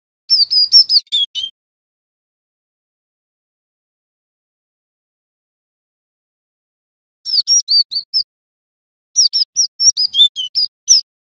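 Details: A male cinereous tit learning a rolling song gives quick bursts of sharp, high chirps, rattled off in three short runs with long silences between.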